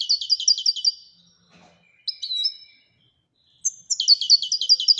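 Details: Royal European goldfinch delivering fast tinkling trills of rapidly repeated high notes, a short twittered phrase in between, then another rippling run.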